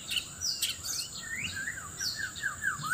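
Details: White-rumped shama in Sabah, Borneo, singing loudly while seeking a mate and answering a rival: a rapid string of varied whistles, rising and falling sweeps and short trills, with a thin steady high hiss behind.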